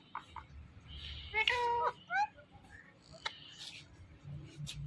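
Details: Pet ring-necked parrot giving a single drawn-out harmonic call and a short downward-bent syllable amid quieter clicks and faint chatter, with steady low room noise.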